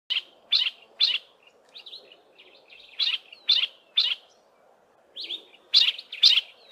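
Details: Yellow-breasted apalis, a single bird giving part of its duetting call without its mate answering, in a thick wooded valley west of Grahamstown: loud, harsh chipping notes repeated about twice a second in bursts, with soft fainter twitters between them.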